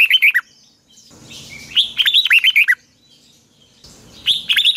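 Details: Morning song of a red-whiskered bulbul in the long double twisting style (giọng kép xoășn dài), recorded in 2020 for training birds. It gives a short phrase, then a longer run of looping warbled notes, then another burst after a quiet gap.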